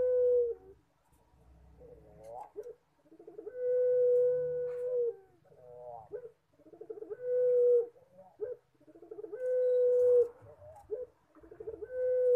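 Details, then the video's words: Collared dove (puter pelung) cooing, its voice likened to a person crying: short rising notes lead into a long, steady, low drawn-out coo, repeated about every three seconds. "PUTER PELUNG MANGGUNG"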